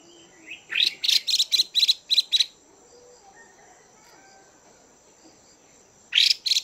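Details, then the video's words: Female Chinese hwamei calling to stimulate males: a fast run of about eight harsh, raspy, buzzy bursts over under two seconds, then silence, then another short rasping burst at the end, over a faint steady high hiss. "Chim Hoạ Mi Mái VIP Chùi Kích Bổi Căng Lửa Mái Gột Chiến"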